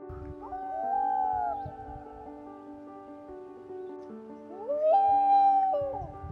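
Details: Common loon on a lake in summer, back on its breeding grounds to nest, filmed from a kayak, gives two long wails, each sliding up, holding a mournful note, then dropping away, over steady background music.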